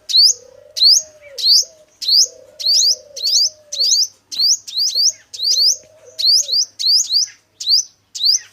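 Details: A male five-coloured sunbird, used as a lure for trapping, repeats high, sweeping, upslurred chirps in a steady stream, about fourteen in eight and a half seconds, over a quiet low droning tone.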